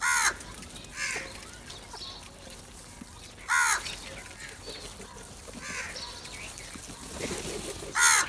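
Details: Crows coming together for food give scattered rasping caws, one near the start, another around a second later, then a long gap before further caws at about three and a half and eight seconds.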